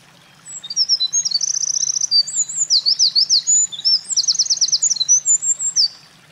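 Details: Eurasian wren singing energetically at a mountain pass on 28 April 2024, a bird that had been carrying nest material. A long, loud, very high song of rapid buzzy trills and sharp whistled notes runs for about five seconds over a faint low hum.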